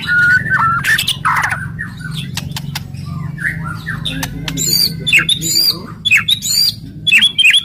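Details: Aggressive murai batu, the White-rumped shama, delivering loud rattles and shot-like notes to rouse other birds: varied whistles, harsh bursts, then high, sharply upswept piercing notes, with a low hum underneath.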